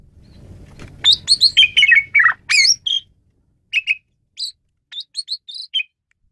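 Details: Asian pied starling kept as a tutor bird for training songbirds: a dense burst of rasping, chattering and whistled notes for two seconds, then sparse clipped whistles and chirps separated by silences.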